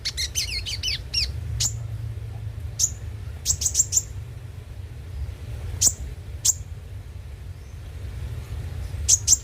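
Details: Van Hasselt's sunbird (konin) song used as a lure to get other birds singing daily: sharp, very high chirps and quick descending ticks in scattered bursts, with a steady low hum underneath.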